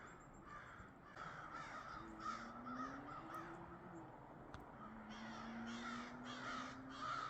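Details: Crows calling outdoors on a foggy, mild winter morning after a late start: a run of hoarse, rasping caws repeated about twice a second, with a low droning hum beneath.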